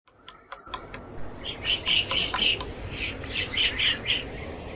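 A woodpecker gives a run of short, sharp, high calls, about three or four a second, over a steady rushing background hiss.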